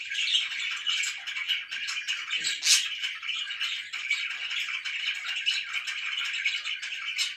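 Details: Morning warbling from pet budgerigars indoors: an unbroken rattling chatter of fast chirps, with a single loud shrill note near the middle.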